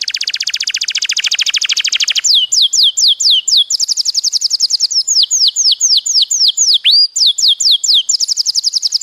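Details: A Belgian canary (Serinus canaria domestica) sings a fast, rolling high trill, then a quick series of sharp down-slurred whistles, several each second, with the rolling trill returning at the end.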